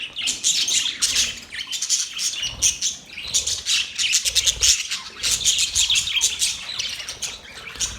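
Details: Budgerigars chirping: a constant wash of high twittering and squeaky notes in uneven bursts, lively and unbroken.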